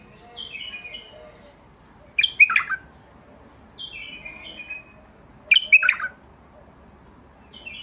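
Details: Basrawi bulbul, the White-eared Bulbul, repeating a song pattern twice: a quiet descending whistled phrase followed by a loud, explosive cluster of chirpy, gurgling notes, roughly every three seconds.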